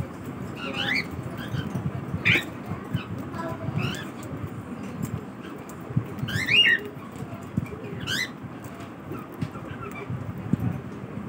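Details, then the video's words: Cockatiel in the morning giving repeated arched whistled calls at irregular intervals, some loud and doubled, others faint, with a steady low rumble underneath throughout. "Cockatiel Morning Routine"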